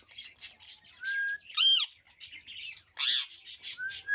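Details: Rose-ringed parakeet kept as a pet: brief rising whistles between loud, raspy, ringing squawks, heard close up in a quiet setting.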